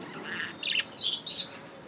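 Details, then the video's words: A pet budgerigar gives a brief run of high chirps, three bright squeaky notes in quick succession after a soft warble. "Budgie chirping sound"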